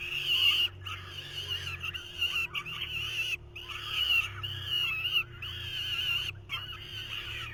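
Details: Several falcon chicks in the nest in 2023 scream harshly and insistently while the adult male tries to feed them, in rasping bouts of one to two seconds with short gaps.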